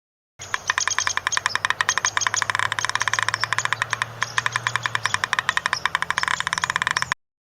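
A woodpecker taps in fast, uneven wooden rattles, bursts of knocks running for about seven seconds over a faint low hum.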